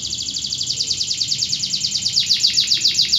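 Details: Local canary singing a loud, bright, rapid trill, high notes repeated several times a second in an even rolling pattern that speeds up and grows more emphatic toward the end.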